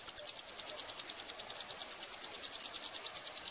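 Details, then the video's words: Eurasian wryneck chicks being fed, Pribytki, Russia, 2 July 2018. A high, thin, rhythmic rasping buzz pulses steadily about three times a second throughout, with no other clear sounds. "Eurasian wryneck (Jynx torquilla) feeding chicks"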